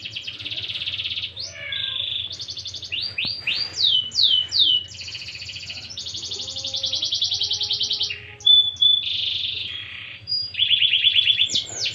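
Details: Canary in full, vigorous 'gacor' song: long runs of rapid rattling trills alternate with fast downward-sweeping whistled notes and buzzy rolls, with brief pauses between phrases, over a low steady hum.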